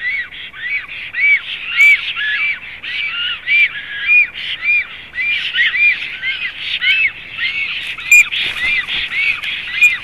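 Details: Black storks at the nest, Zemgale region of Latvia, April 2016: dense continuous run of harsh, nasal up-and-down notes, loud throughout, with a brief rustle or thud around the eighth second.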